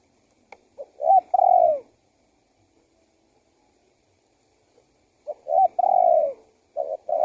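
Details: Spotted dove (tekukur), male, calling as a lure to draw wild doves in and set them calling: two phrases, each of quick short notes then a long, falling, mellow coo, separated by a few seconds of silence.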